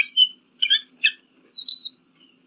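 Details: Eagle calls played to deter pigeons and crows: three quick high chattering notes followed by a thin, steady whistled note, then a faint trailing whistle.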